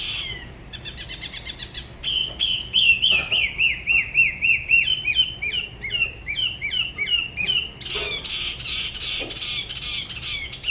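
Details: Dalat spot-throated babbler, known locally as tiểu mi, singing solo near the La Ba river, with a regionally distinct style. Stuttering opening notes lead into a long, fast series of slurred notes gradually falling in pitch, ending in a bright burst.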